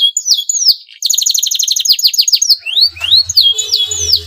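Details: Breeding-condition male canary urging rival canaries to sing. It gives downslurred whistles, then a long rapid trill of sharp notes, then rising whistled sweeps, with a low hum near the end.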